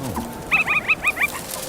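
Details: A female drongo, tricking meerkats to steal their scorpion, gives a faultless imitation of a meerkat alarm call: a rapid burst of short, bright, clipped notes.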